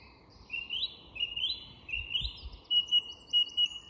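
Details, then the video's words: At dusk in an English woodland, a song thrush repeats a rising, slurred whistled phrase three times, then switches to a bright, sharp note repeated rapidly, over a quiet woodland background. "Recognising Bird Song - The Song Thrush & Dusk Chorus in an English Woodland"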